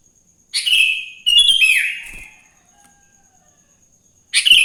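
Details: Wild Sooty-headed bulbul morning song, used to set other bulbuls singing: two back-to-back loud chattering phrases with a falling slurred whistle, a quiet stretch, then a fresh burst at the end.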